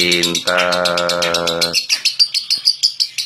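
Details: Competition lovebird from Central Java, Indonesia, its high repeated chirps partly masked early on by a loud, low droning tone, then ringing out clearly as a quick series of sharp notes.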